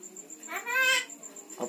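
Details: Talking Javan myna that says bapak, mamak and opo pak and can whistle, giving one drawn-out, nasal, speech-like syllable with a faint steady high tone behind it.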